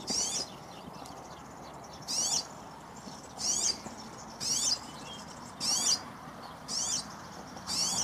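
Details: European serin (verdecillo, chamarín) giving brief high tinkling, buzzy bursts repeated about every second, seven phrases in a row, each under half a second, against a quiet hiss.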